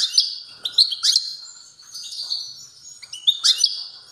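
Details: European goldfinch singing strongly, a fast, liquid jumble of high chirps, buzzy trills and sharp ticks, rising to loud bursts near the start and again at the end.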